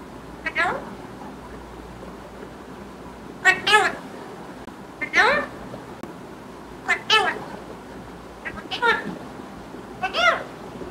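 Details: Short wavering calls from a pet green talking parrot, seven brief bursts scattered over about ten seconds, bright and harmonic against a low hum.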